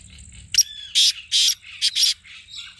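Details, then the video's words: Loud, harsh black francolin phrase used for calling the bird: a sharp opening note, then four grating, broad notes in a broken rhythm over under three seconds, with faint twittering around them. "تیتر کی بولیاں - کالا تیتر بلانے کا طریقہBlack Teetar Voice"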